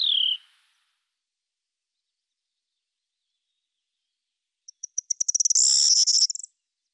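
Common starling: a high, falling whistle, then after a pause a run of quickening clicks that turns into a dense, high, rattling and whistled phrase.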